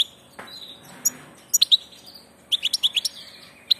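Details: A passage goldfinch gives scattered high, sharp chirps and short twittering bursts, with quiet gaps between them in a calm setting.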